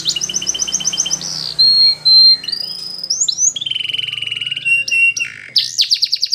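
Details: Belgian canary song used for training young canaries: rapid high trills, a clear steady whistle, then buzzy rolls and rising slurred notes, over a faint low hum.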